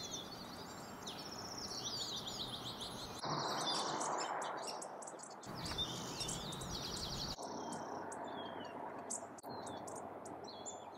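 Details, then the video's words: Bushtits in a backyard in the Sierra foothills of California on 8 April give thin, high twittering notes, repeated quickly, with steady background noise and a few other bird chirps. "Bushtit ヤブガラ"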